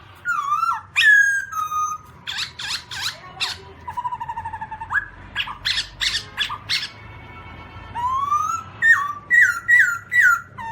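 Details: Singing black-throated laughingthrush, 2017: loud whistled phrases that fall and rise are mixed with sharp, harsh bursts and buzzy chatter. The bird repeats quick notes about twice a second, and varied rising whistles close the sequence.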